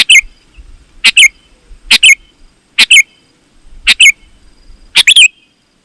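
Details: Lure song of a sooty-headed bulbul to attract other bulbuls: six chirpy two-note phrases with ringing endings, about one per second, over faint low background noise.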